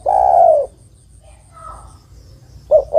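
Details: Female spotted dove calling for a male: the tail of one long falling coo, a pause with faint soft sounds, then the two short opening coos of the next phrase.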